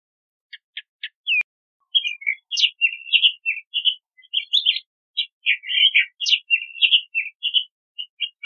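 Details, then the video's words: Long, rambling song of a Crissal thrasher: a few separate clicks, then a continuous stream of varied short phrases, including whistled slurs, buzzy chirps and sharp high notes, changing constantly with brief gaps and no background noise. "Crissal Thrasher Song! Crissal Thrasher Sound! - Cuitlacoche Culirrojo Canto"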